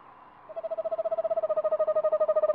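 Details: Eastern screech owl named Olivia at a nest box, 29 March 2019: a steady, even-pitched trill of rapid pulses, about a dozen a second, swelling in volume over two seconds.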